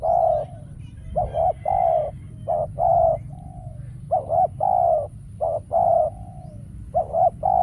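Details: Spotted dove used as a lure during bird trapping, calling repeatedly; soft hollow coo phrases, a quick doubled note then a drawn-out coo, about five phrases in sequence with steady low background noise.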